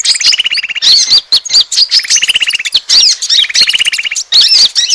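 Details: Asian glossy starling calling to lure other birds: three buzzy, evenly pulsed rattles, each about a second long, alternating with sharp high squeaks and clipped chips.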